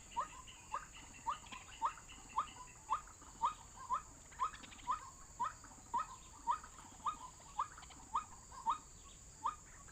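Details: White-breasted waterhen lure recording for trapping: brief sharp notes sweeping upward, repeated regularly around twice a second, about eighteen in a row, with a faint hiss behind.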